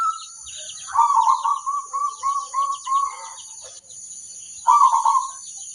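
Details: Local zebra dove song, played to draw replies from other zebra doves. A long rippling run of quick cooing pulses lasts about two and a half seconds, followed after a pause by a short burst. A faint high background hiss runs throughout.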